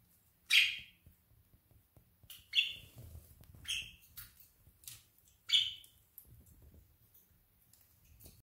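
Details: An afternoon with a flock of budgerigars: loud, harsh, squawky chirps come every second or two, with softer chattering between them. Low rumbling background noise runs throughout.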